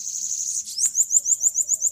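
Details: A bananaquit in Maceió, Alagoas, sings very high and thin while fighting a rival bananaquit in a challenge: a buzzy trill, then a quick run of short rising notes, several each second, with a single sharp click.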